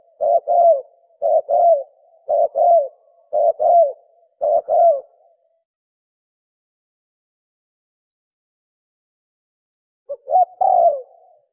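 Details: Spotted dove cooing fast in the 'thổ còi' manner to spur other doves: five quick two-note phrases in about five seconds, low and mellow with falling endings, then long silence before one more phrase at the end.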